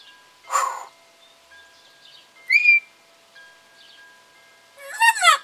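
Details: African grey parrot in a home, dated 24 July 2021, mixes a harsh voice-like burst, a bright rising whistle and a final jumble of talking sounds, with faint steady tones in the background.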